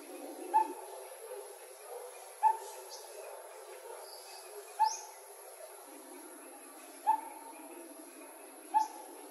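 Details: Coppersmith barbet from 2020 calling in a relaxed way: five single hollow notes at one low pitch, spaced unevenly about one and a half to two seconds apart, with faint distant bird chirps between.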